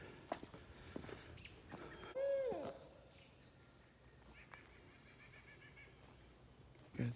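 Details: An owl at Portland Arch Nature Preserve gives one drawn-out hooted note that holds steady and then drops away at the end, over hikers' footsteps, rustling and faint voices on the trail.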